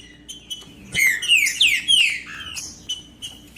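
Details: Captive green-winged saltator (trinca-ferro) singing, played to warm up quiet birds for singing tournaments: a burst of loud descending whistled slurs in the middle, framed by softer short chips and notes, steady low hum underneath.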